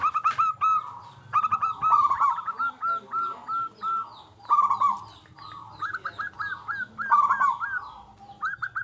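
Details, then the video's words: Local zebra dove with a big, frequently sung voice, played as a lure to prompt other zebra doves to sing: phrases of short hooked whistled coos and rolling trills, repeated in bursts with brief pauses, faint low hum underneath. "Perkutut Lokal Gacor Suara Besar Pancingan Burung Perkutut Agar Cepat Bunyi"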